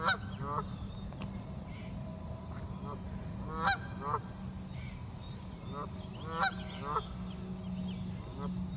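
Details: Honking geese in flight, several harsh nasal calls overlapping at irregular intervals, some near and loud, others fainter, over a steady low hum.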